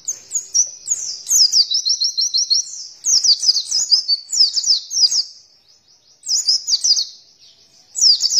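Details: {'caption': 'Oriental white-eye song used as a lure to prompt caged birds to open their beaks and sing: high, rapid twittering phrases of quick descending chirps in bursts of one to two seconds, separated by short pauses.'}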